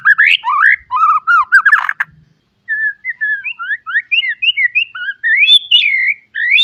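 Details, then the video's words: Caged white-rumped shama singing a full, varied song used as a training recording for young birds: rich whistled phrases sliding up and down, quick repeated notes, a brief pause, then a run of rising and falling whistles. "Kicau Murai batu full isian, cocok buat pancingan masteran Murai bahan agar cepat bunyi & gacor."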